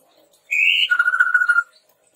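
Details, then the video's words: Red-rumped tepus singing as a training lure: one whistled phrase, a slightly rising note followed by a longer, lower, steady trembling whistle lasting about a second. "SUARA PANCINGAN BURUNG TEPUS TUNGGIR MERAH GACOR COCOK UNTUK MASTERAN"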